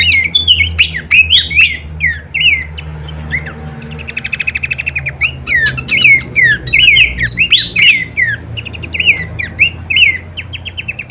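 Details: Horsfield's babbler song used as masteran training audio, full kleperan variation: clear whistled slurred phrases, rising and falling, delivered in quick repeated bursts with brief buzzy trills, over a steady low hum.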